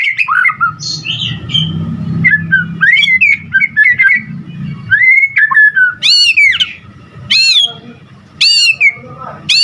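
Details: White-rumped shama singing energetically: varied looping and wavering whistles, then loud sweeping high phrases repeated about every second toward the end, with a low rumble in the background.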